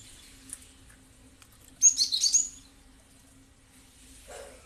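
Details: Cinereous tit recording used as a lure to draw responses: one rapid burst of thin, high twittering notes about a second long, set in quiet with a low background hum.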